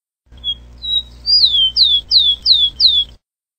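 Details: Rufous-collared sparrow song: two thin steady whistles, then five bright down-slurred whistled notes repeated rapidly and evenly, over a faint low background hum.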